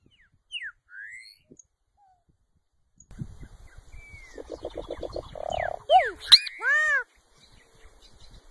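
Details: Solitary cacique beginning with soft scattered slurs, then a pulsed buzzy rattle, a steady nasal note, sharp upward chips and a ringing arched call over light background noise.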